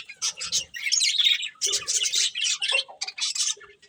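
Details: A breeding pair of budgerigars giving rapid chirping chatter in loud bursts, buzzy warbles and squeaky notes with brief gaps between phrases.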